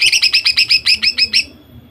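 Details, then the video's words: Female greater green leafbird in full ‘nembak’ song, used to rouse male birds into singing. Around eleven quick, bright, slurred notes delivered in a tight run of under two seconds, fading out afterward. "Cucak ijo betina gacor nembak sadis. Cocok untuk memancingcucak ijo jantan agar bunyi."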